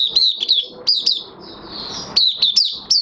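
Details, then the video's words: Caged Oriental white-eye in minor moult singing on 3 June 2022: short bursts of bright, high, down-sliding chirps separated by a brief gap of soft rushing noise. "Mata Puteh Kitaro V1 buka sing"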